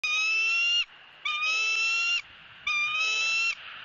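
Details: Female bald eagle begging at a nest in Southwest Florida while her mate eats a fish and passes her bites, on a nest camera. Three long, high, harmonic squealing squawks, each steady and slightly rising, spaced about a second apart.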